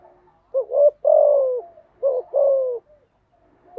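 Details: Spotted dove cooing meant to train freshly caught doves: two phrases close together, each a brief rising double note leading into a longer falling coo.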